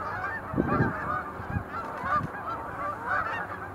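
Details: Sandhill cranes giving display leaps at Montezuma National Wildlife Refuge, November 2020. Layered rattling calls from many birds fill the scene, joined by several short low rumbles.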